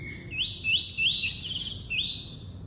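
Double-collared seedeater singing its tuí-tuí type: bright, high whistled notes sliding upward, about two a second, with one brief buzzy flourish mid-phrase.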